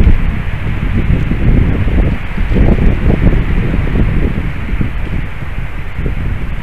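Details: Heavy wind buffets the microphone in a steady low roar with rustling gusts, and no animal calls stand out.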